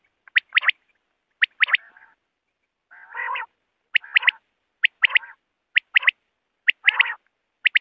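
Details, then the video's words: Common quail, known locally as batair, heard at night as a hunting lure: crisp high notes in twos and threes, about one burst a second, alternating with lower buzzy nasal phrases. "common quail sound for night"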